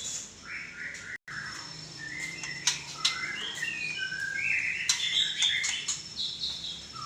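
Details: Varied whistled phrases and twitters of a white-rumped shama, moderately loud, mixed with sharp clicking and tapping noises and a steady faint background hiss.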